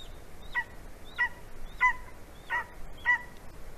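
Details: Latvian female golden eagle calling to her mate for mating, he on the right branch, 11:09 AM, 9 February 2020: five sharp, downslurred yelps, one about every half second, over steady background hiss.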